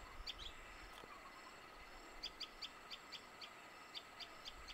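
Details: Common tailorbird at Vanghat, Jim Corbett National Park, Uttarakhand, giving a rapid series of sharp, high chipping notes, about three or four a second, over a steady background hum of insects.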